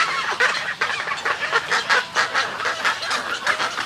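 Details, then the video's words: Snowy egrets calling close by in their colony: a quick series of harsh, gargling croaks, about two each second, loud and grating, with other birds calling behind. "Snowy Egret. MCU-CU Colony Calls And Greeting Calls"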